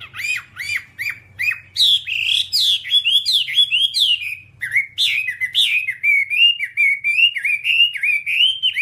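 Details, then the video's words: Master-track whambie song: after several hooked, dipping notes comes a continuous, varied warble of shrill, swooping whistled phrases. The notes are packed closely together and keep tumbling up and down without a break. "Masteran Whambie nonstop 1 jam"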